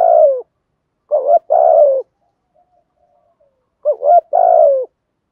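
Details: In the morning a decoy spotted dove gives two phrases of soft, throaty cooing, each a short wavering coo followed by a long falling coo, separated by about two seconds of near silence.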